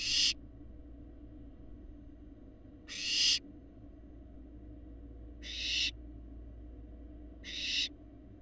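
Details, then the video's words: Fledgling barn owls on a live nest camera in Florida give four breathy, rasping screeches roughly every two and a half seconds, each short and noisy, above a continuous low-pitched hum. "These barn owl fledglings are large and look like their parents"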